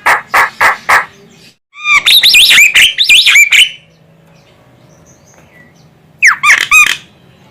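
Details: Female Javan myna from Indonesia, whose calls serve to lure birds: four quick raspy notes, then a dense burst of rising squeals and harsh chattering squawks, a long silence, and a final short harsh series.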